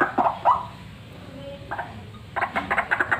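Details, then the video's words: White-breasted waterhen, a vocal fighter bird used for luring, giving harsh, croaking notes: a few loud bursts at the start, a pause, then a fast run of rhythmic, grating pulses repeated several times per second. "RUAK RUAK FIGHTER GACOR SIAP BUAT PIKAT"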